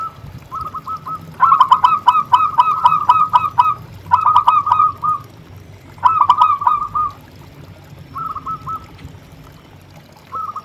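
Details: Actively singing local zebra dove, used as a lure, pours out loud runs of fast, bubbling coos, each burst several notes long, separated by short gaps and quieter phrases, over a steady low hum.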